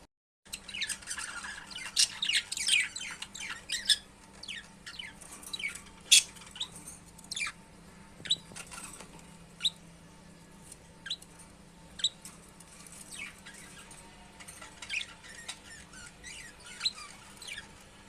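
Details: Budgerigar (Melopsittacus undulatus), chatter.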